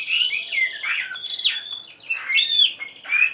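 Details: Wild-caught hwamei after one week in a cage: a brief, dense burst of clear whistled song, with warbling slides dropping and rising, ending in sharp high upward flicks.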